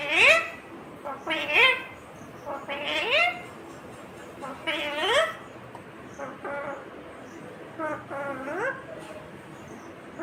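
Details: Green Indian ringneck parakeet talking: a run of voiced, speech-like syllables with rising and bending harmonic slides, about six phrases spread over ten seconds, in a quiet indoor setting.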